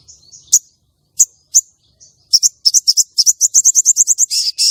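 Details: Female common iora call for luring and arousing a contest male: scattered high chips speed up into a rapid chattering run of about twenty quick notes, ending in longer buzzy bursts.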